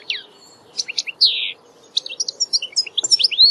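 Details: European goldfinch giving a mix of tinkling chirps, a drawn-out buzzy descending note and quick high twitters, with a soft hum behind.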